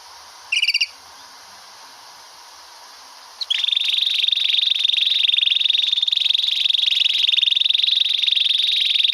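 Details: Canary singing a long roll, used for tutoring other canaries' song: a brief chirp early on, a quiet pause, then a sustained, high, rapid trill that holds steady at one pitch through the rest of the recording.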